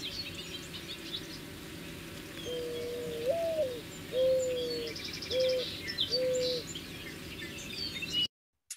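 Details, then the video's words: Mourning Dove gives a soft, hollow, crying-sounding coo: a rising-and-falling first note, then three steady, low, mournful hoots about a second apart, with faint high chirps behind. "I listen to that call, I can really understand why it was named a mourning dove. It sounds like it is crying."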